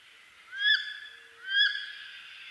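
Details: Wood duck in eastern North America giving two loud rising squealed calls with a harsh, harmonic ring, spaced about a second apart, over a steady chorus of thin whistles and chirps from other birds.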